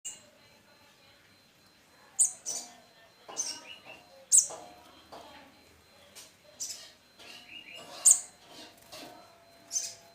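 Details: Hand-reared olive-backed sunbird chick about 21 days old after hatching, now independent, drinking condensed milk and taking ant larvae; thin high chirps scattered irregularly over ten seconds, some with sharp very high clicks, over faint indoor background noise.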